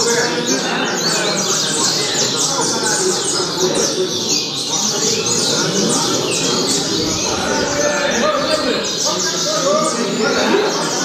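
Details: Altas Horas style song of a Double-collared seedeater, fast runs of high chirps and downslurred whistles repeated through the passage against loud continuous background noise.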